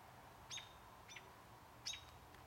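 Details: American robin nestlings in the nest, recorded 27 June 2011: three brief high thin chirps with sharp downward sweeps, spaced about half a second to a second apart, over a steady low background hum.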